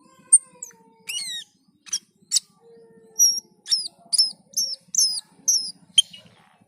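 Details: Black-and-white bulbul singing eagerly (gacor): sharp descending whistled notes, then a series of high two-part chirps repeated roughly twice a second, with a quiet low whistle and a faint steady hum underneath.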